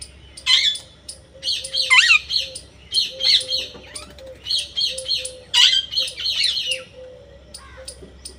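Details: Parrot giving a run of harsh, buzzy squawks in close succession, some with rising and falling bends, over a steady background of short sharp ticks and a faint low hum.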